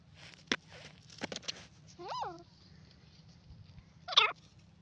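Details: Grey francolin with two harmonic call notes, one arching smoothly and one later, shorter and twisting, among scattered clicks and faint background hiss.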